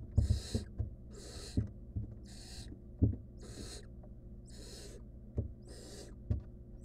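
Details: In a monitored nest box, a wild barn owl nestling works at a stolen rodent alone, repeating six harsh breathy hisses at regular intervals, with occasional thumps and scraping knocks.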